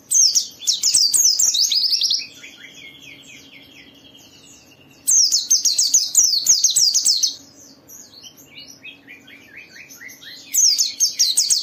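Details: Gacor white-eye song used to spur other white-eyes to sing: three loud bursts of fast, shrill, descending chirps, separated by softer buzzy trills and scattered falling notes, with a faint constant low hum.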